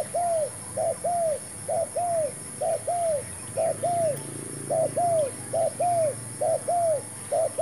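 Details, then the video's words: Decoy spotted dove cooing during a trapping session with a newly brought bird and a new trap; regular two-note phrases, a brief coo then a longer falling one, about every 0.9 seconds, with a constant high-pitched hum behind. "MEMIKAT TERKUKUR.BAWA BURUNG BARU (BB) DAN CUBA JEBAK BARU"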